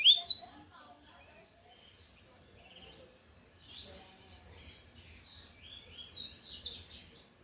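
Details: Singing loudly, a lined seedeater gives a sharp burst of high swept whistles at the start of its Tui Tui song, followed by several seconds of faint, buzzy twittering.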